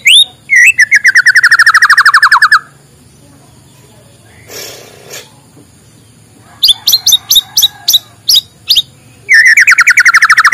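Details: White-rumped shama singing in the morning, a recording used to coax quiet shamas into song: fast runs of sharp repeated notes sliding into a descending rattling trill, a short pause with faint rustle, then more staccato notes and another trill.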